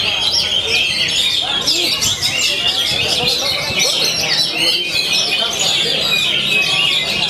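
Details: Continuous song of an oriental magpie-robin (kacer), said to sing nonstop daily: rapid overlapping whistles, twitters and harsh notes repeated without a break, with muffled talking low in the background.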